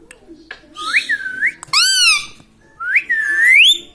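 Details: Pet green parrot at home imitating speech, taught to say mummy, papa and radhe radhe: several clear rising whistled syllables with bright harmonics, separated by short pauses, with faint room noise.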